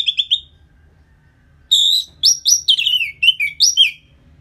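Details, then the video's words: After-moult lure song of the Orange-headed thrush: a few quick opening notes, a silence, then a loud, fluid phrase of bright, descending slurred whistles. "Pancingan Suara Burung ANIS MERAH Pasca Mabung || Selow Bikin Burung Bergairah jadi lebih agresif"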